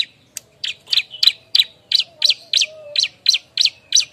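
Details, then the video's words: Noisy bar-winged prinia seeking a mate, a lure recording: a brisk series of sharp, high chirps, about three per second, steady and insistent, with a faint low hum beneath. "suara burung ciblek ribut nyari kawan"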